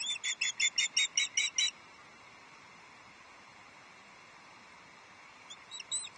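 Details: High whistled chirps from an osprey at Loch Arkaig Nest Two, 11 July 2023, as a second fish, a headless trout, is delivered: a rapid run of eight sharp piping notes, then a pause and a softer few.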